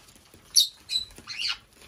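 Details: Five-year-old female black-headed parrot in a home bird room on her birthday gives three harsh, grating squawks in quick succession, the last longer and broader, over a quiet background.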